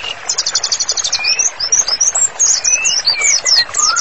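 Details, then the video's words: White-rumped shama song for training: a fast buzzy high trill opens, then sweeping whistled slurs and high chattering notes, ending with a rising whistle. "MURAI BATU GACOR, MASTERANNYA COCOK BANGET UNTUK TERAPI"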